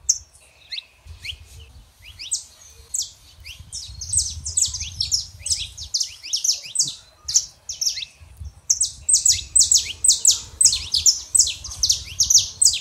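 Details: Male and female saffron finches sing. Scattered high chirps build into a long, loud series of rapid, sharp, descending notes, about two per second or faster, continuing to the end.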